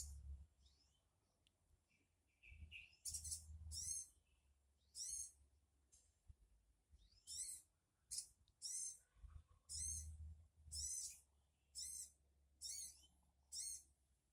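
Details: Sogon bird call used to lure a bird into answering within three minutes: a run of about eleven harsh, hissing, raspy screeches, each roughly half a second long, separated by short pauses, over a low rumbling background.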